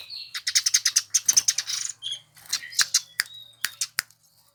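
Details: Eurasian tree sparrow, popular among Indonesian songbird keepers, delivering a fast run of sharp high chirps, then scattered single chirps and a short buzzy note, with a faint low hum underneath.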